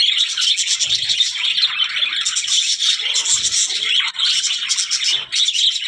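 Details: Budgerigar flock sound, continuous scratchy twittering and high chirps, with a couple of short lulls near the end.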